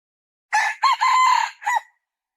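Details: A single red junglefowl crow: a loud, raspy phrase of four parts, with a brief opening note, a rising note, a long steady middle and a short, abruptly cut last note, heard against silence.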